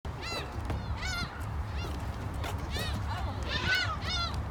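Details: Gulls in Korea calling repeatedly: loud, harmonic, arched mewing cries that rise and fall, several overlapping in quick succession over a steady low rumble.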